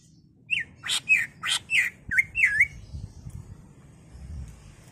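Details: Cucak ijo, or greater green leafbird, singing emotionally as a lure to make caged birds sing; a run of about eight rich, rolling whistled phrases mixed with buzzy notes, then fading into low background noise.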